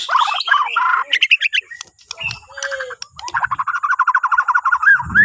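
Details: White-rumped shama of the Borneo type, singing as a morning prompt for other birds: varied whistled phrases and chattering notes, then a fast even run of repeated rattling notes, with brief low rumbles beneath.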